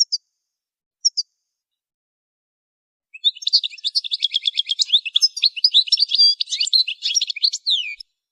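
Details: Goldfinch singing, as used in song training: two brief high notes, a pause, then about five seconds of dense, lively twittering full of rapid chirps, short trills and downward slurs, in a clean, quiet recording.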